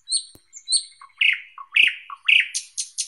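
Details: Song of a thrush nightingale, a loud varied phrase: high whistled notes followed by deep and rising slurred notes repeated about twice a second, ending in rapid clipped notes.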